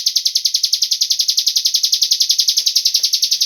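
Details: Cigun bird call played as a lure so other birds join in, a rapid, evenly spaced stream of piercing high chirps without pause, plus a couple of faint clicks near the end.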